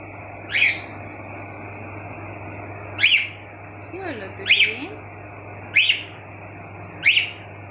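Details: Pet cockatiels chirping at home, five bright rising-falling notes about every one and a half seconds, while a person talks softly in Bengali between them; low hum throughout.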